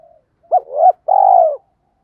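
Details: Single 'tiếng thúc' phrase from a spotted dove used as a lure: a sharp short coo sliding into a swelling note, then a long, slightly tremulous descending coo, clear and close.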